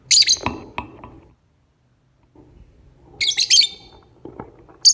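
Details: In the morning a lovebird gives a lure song of rough, piercing chirp bursts, one at the start and a longer stuttering run later, plus a brief final squeak and light knocks.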